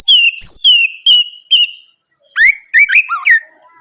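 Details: Oriental magpie-robin in full morning song, played as a lure to make rival birds answer: loud clear whistles slurring downward, then rising whistled notes and quick varied phrases.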